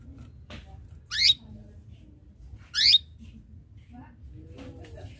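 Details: Canary chirping to lure rivals into singing along: two strong upward-sweeping chirps close together, followed by faint scattered twitters and a soft low hum.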